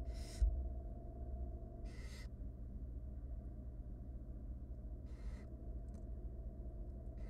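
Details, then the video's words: Feeding time for three tiny wild barn owl chicks in a nest box, their mother bringing food: four harsh hissing bursts recur every one and a half to three seconds, with a faint tap and low background hum. "3 hungry tiny barn owl nestling get fed by their Mom."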